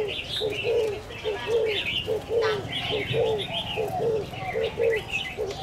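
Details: At the Van Phuc ornamental plant and pet market in Ha Dong, Hanoi, on market day, a spotted dove gives soft, low, hollow coos in a steady run, about one a second, over busy chirping and twittering of small birds.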